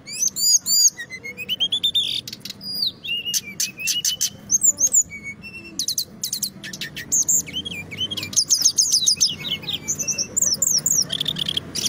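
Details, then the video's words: Kept Brown-chested jungle flycatcher from Indonesia, valued by hobbyists for a loud, dense, nightingale-like song, rolling on without pause: fast high whistles, sharp repeated chips and looping slurred phrases, about three to four notes each second. "Sikatan Rimba Dada Coklat Gacor - Ngeroll Tiada Henti SRDC"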